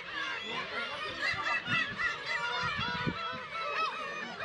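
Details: Early-summer Black-tailed gull colony at Kabushima, Aomori Prefecture, Japan, with chicks in June; a dense, steady wall of overlapping mewing and nasal honking calls, with scattered low knocks underneath.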